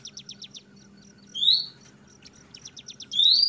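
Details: Oriental magpie-robin (kacer trotol) giving its loud, open ngeplong song: two bright, sharply rising whistles stand out over faint, rapid chattering notes, with a steady low hum underneath.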